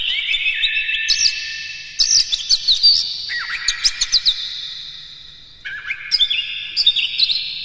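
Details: Oriental magpie-robin singing varied morning song to encourage captive birds: clear whistled notes and quick descending slurs in several phrases, punctuated by short staccato chips, with a quieter pause near the middle.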